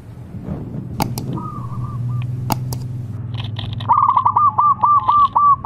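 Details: Zebra dove song used to make rival doves reply: a short faint run of whistled notes early, then a louder quick series of bright repeated whistles, with taps and knocks throughout.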